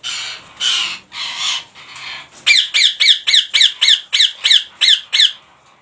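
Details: Rose-ringed parakeets in a colony collection; a few hoarse, noisy screeches, then a fast run of about ten sharp, rising-then-falling shrieks repeated roughly every quarter second.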